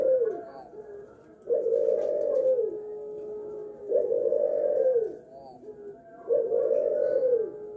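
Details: Colour-morph spotted dove (derkuku) from a bird farm in Sidoarjo, East Java, Indonesia, bred for a seven-note kuk call: deep, hollow, smoothly rising and falling coos repeated about every two and a half seconds over a low background hum.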